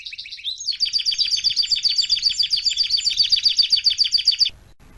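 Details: Canary song used to tutor young canaries: brief chirps lead into a rapid, steady rolling trill of paired high notes repeated for about four seconds, then silence.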